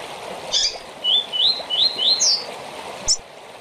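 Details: Rusty-collared seedeater giving a short tournament song: a brisk string of five or six upward-sliding whistles climbing to a high slurred note, with brief sharp clicks at either end.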